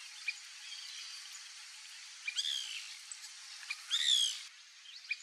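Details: A White Woodpecker visiting backyard fruit gives short, harsh chattering calls in brief bursts, with one louder rattling series near the end over steady background hiss.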